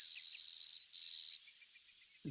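Clay-colored Sparrow song: two flat, insect-like buzzes, a long one then a shorter one, both high and even. A soft low thump follows.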